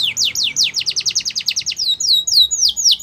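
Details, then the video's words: A Yorkshire canary, used for canary song training, sings a fast trill of high, sliding-down notes at about seven a second, then slower, longer downward whistles. "Yorkshire Canary Song"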